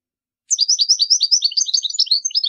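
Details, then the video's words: European goldfinch singing for young birds to learn from: a quick, tinkling, chattering sequence of high notes, evenly pulsed and unbroken, beginning after a short silence. "تغريد طائر الحسون لتعليم الفراخ الصغار chardonneret"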